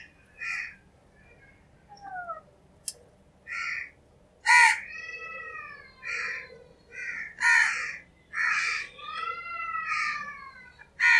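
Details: Crow cawing naturally: a series of harsh, hoarse caws, each about half a second long, repeated every second or so with short pauses, some rising or falling in pitch. Faint background hiss.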